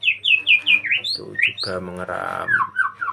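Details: White-rumped shama singing vigorously in a breeding cage: a run of clear, down-slurred whistled notes repeated in quick succession, then a brief harsh, lower buzzy patch and further sliding whistles at the end.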